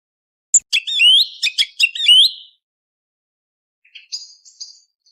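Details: Song thrush singing before sunrise, for hunting: a rapid burst of sweeping whistled notes and trills, then a pause and a few faint, thin, high phrases; otherwise quiet.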